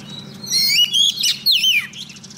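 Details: Female Oriental magpie-robin decoy calling a male for trapping, giving three quick, loud whistled notes that sweep up and then slide down, with a faint low hum underneath.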